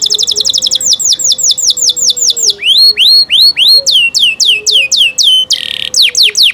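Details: Canary song of fast rising and falling whistled notes in varied series with a brief buzzy burst; a soft low whistled tone runs underneath in places.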